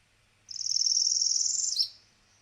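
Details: Northern Parula song, a spring-migration warbler: a fast, high buzzy trill of closely run-together notes climbing steadily for over a second and snapping off in a sharp, very high chip-like note.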